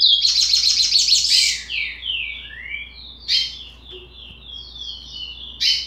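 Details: Juvenile curió aged 60 days with developing song opens with a loud buzzy trill, then slow whistled slurs and scattered short bursts separated by quieter gaps.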